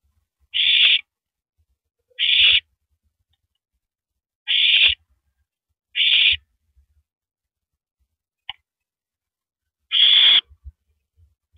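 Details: Owl at the nest at night, April 9, 2012, as the male passes a rabbit he has been tearing at to his mate; five short, harsh, breathy screeches at uneven gaps, with scattered faint taps.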